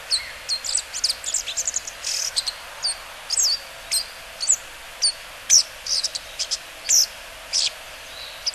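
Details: Bull-headed shrike heard along the Mukogawa riverbed, Japan, 14 September 2015, giving piercing, clipped, high-pitched notes spaced roughly every half second to second, with a few brief rattling clusters, against soft constant background hiss.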